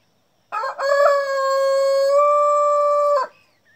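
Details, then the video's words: A Jersey Giant (black giant) rooster crows at dawn amid birdsong: one long crow, a choppy start then a loud, steady, ringing note held nearly three seconds before breaking off. "o canto do gigante negro"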